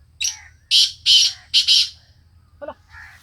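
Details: Black francolin of the Sindhi type giving a grating call of four loud rasping notes, then a short low clucking note and a faint chirp, over a constant low hum.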